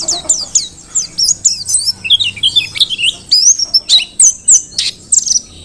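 A mountain white-eye sings a fast, high, tumbling twitter of sharp chirps and thin slurred whistles, about one burst a second, with no other clear sounds.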